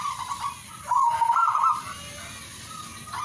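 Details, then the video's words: Zebra dove song with a soft cooing phrase, then a louder, rolling trilled coo lasting about a second, then quieter sustained cooing, against steady background hiss. "singing birds of turtledove"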